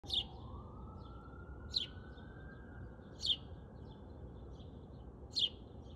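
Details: Sparrow calling in the morning, giving short, sharp chirps about every one to two seconds over a steady low hum and a faint rising siren-like tone.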